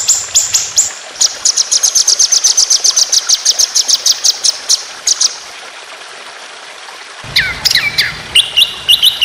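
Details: Long rapid 'tembakan' phrase of a white-rumped shama training song: a steady machine-gun series of very high sharp notes, a pause, then lower whistled slurs mixed with high chips.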